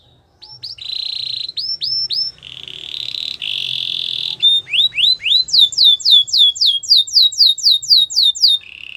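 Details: Training song from a canary: a few swooping notes and short buzzy trills, then a long run of fast, evenly repeated downslurred whistles and a closing low roll.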